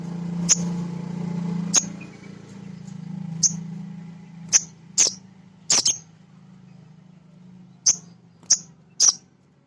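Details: Male sunbird used as a training lure for untrained birds: scattered sharp high chips, single and paired, at irregular intervals over a loud steady low hum.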